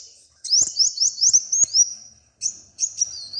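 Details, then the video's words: A small, brightly coloured bird sings a quick series of high, rising, upslurred whistles, about four per second, then pauses and adds two shorter bursts of thin notes. "The little bird has a very beautiful color and sings very well"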